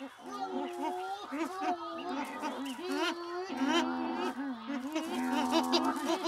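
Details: Cory's shearwaters at night on the Lavezzi islands, where they come ashore only to breed and court, give eerie, nasal, wavering wails that rise, fall and overlap in a dense chorus, with a man's voice speaking over them.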